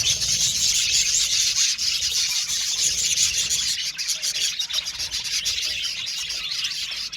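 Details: Aviary colony of budgerigars giving nonstop high, scratchy chirps and rapid squeaky twitters, a thick layered chorus with small rhythmic dips in loudness throughout.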